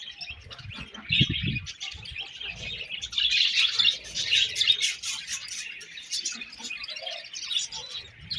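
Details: Budgies giving sweet, busy chirping: high twittering and warbling notes in an unbroken stream, with a few low soft thumps near the start.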